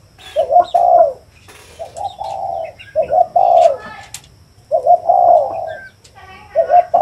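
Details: Spotted dove cooing in a close natural recording: low, hollow coo phrases in short bursts of two or three notes, separated by brief pauses, with faint chirps and clicks in the background.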